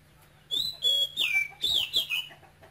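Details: Male oriental magpie-robin from Cambodia, caged, singing keenly at high pitch: loud clear whistled notes, some long and sliding downward, some warbled, in quick succession over a faint low hum.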